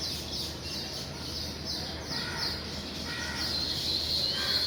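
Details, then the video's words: A colony of weaver birds chirps busily at their nests in the morning as birds come and go: rapid, high, overlapping tweets pour out continuously and build slightly louder toward the end, with a few thin whistled notes. "Listen to & see the weaver birds chirp and coming in and out of their nests in the morning"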